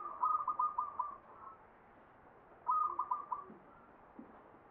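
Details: Perkutut zebra dove singing ngepat, Mataram Jogja style: two whistled stuttering coo phrases of several rapid notes, closely spaced, followed by faint low thuds at the end.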